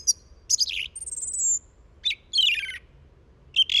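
Song thrush delivering short, varied phrases: sharp chirps, a thin high whistle and rich warbled notes, each phrase separated by brief pauses.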